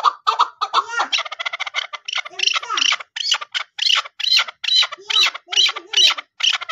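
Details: Chukar partridge (Alectoris chukar) calling during a hunting session gives harsh clucking chuck notes in a steady run, two or three a second, rising into a rasping chattering series.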